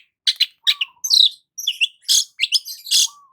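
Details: Morning song of a sunbathing long-tailed shrike: harsh, buzzy, high-pitched notes in quick irregular bursts, mixed with a brief lower whistled tone.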